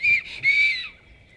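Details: A black stork (Ciconia nigra) at a nest site in Jõgeva County, Estonia, in 2021 gives two thin, high, wheezy whistles, a short one and then a longer note that slowly fades.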